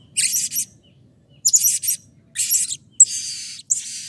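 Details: A Blue-crowned hanging parrot gives agitated bursts of very high, shrill, buzzy chattering, five short bouts in four seconds, over a faint low hum; a lure recording to make other hanging parrots call.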